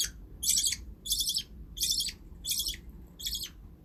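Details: Caged pet budgies calling with rasping, buzzy chirps, five evenly spaced bursts in quick succession over a faint low rumble.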